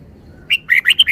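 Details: Red-whiskered bulbul with a clear, sharp note followed by a fast run of bright, slurred whistles in a loud, clean phrase.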